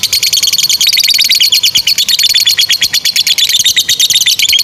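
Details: Lovebird sustaining its long 'ngekek' chatter, a training model for young birds: tightly packed, high, scratchy pulses repeated rapidly and continuously, with no pauses and little change in pitch.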